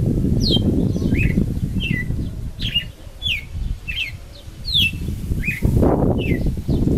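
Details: Young brown red-cowled cardinal practising its song bit by bit: quick descending whistled slurs, several per second, over constant low rumbling background noise, with a louder thump near the end.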